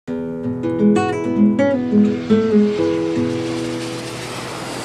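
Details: Plucked acoustic guitar music with clear picked notes and chords, played steadily throughout; no bird or other animal voice can be picked out.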